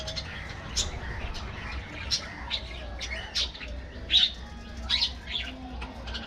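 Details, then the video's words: Budgerigars in an aviary colony give sparser separate chirps and short scratchy calls, spaced irregularly over a low background hum. "parrots,parrot,talking | budgies bird"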